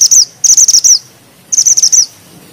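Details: Bushchat repeating rapid, high, rolling phrases of crisp chirps that end in a falling flick, three phrases in quick succession.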